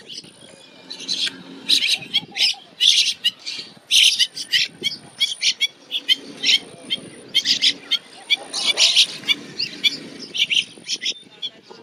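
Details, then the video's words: Bank mynas, several birds in a neighbourhood in the northern plains of India, chatter in harsh, squeaky bursts and chirps with a thin high whistle running through and faint background murmur. "Bank Myna Chirping Sound - Bank Myna Calling Sounds"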